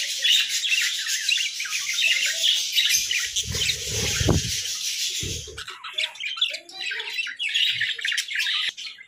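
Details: Several pet budgerigars kept together in a hut, playing and interacting, chattering in a dense, continuous mix of high scratchy warbles and squawks, broken by low thumping knocks midway through the recording.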